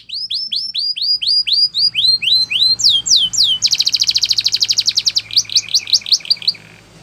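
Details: Belgian canary in full training song: a chain of rising whistled slurs, a few lower sweeps, then an extended rapid rolling trill and choppy high notes fading at the close.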